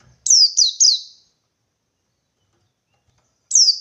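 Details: A wild white-eye searching for a rival, in the 123-beat forest style. Three fast, high downslurred chirps are followed by a long silence, then another bright falling note begins. No other sounds intrude.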